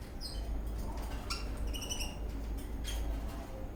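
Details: Eastern rosella parrot dancing in a happy mood, giving a series of short, high, sharp chirps in quick clusters, with a steady low hum in the background.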